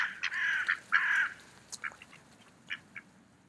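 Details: Two long, harsh, drawn-out quacks from mallards eating in an autumn park, followed by a few faint short notes.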